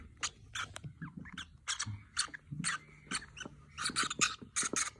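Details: Lovebirds (Agapornis roseicollis, including mauve and yellow sable colour forms) chatter in harsh, shrill squeaks and raspy chirps, several short bursts each second overlapping almost without pause, with a faint low hum underneath.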